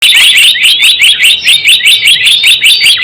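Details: Java sparrow calls used as a trapping lure: fast, regular run of sharp high chirps, roughly two or three each second, with short rising whistled slurs woven between them. No other sounds.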